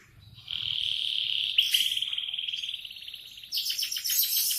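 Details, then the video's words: Canary song in the morning: a long, even whistled trill held for about three seconds, breaking into a burst of harsh, rapid pulsed notes at the end. "Kicauan kenari di pagi hari"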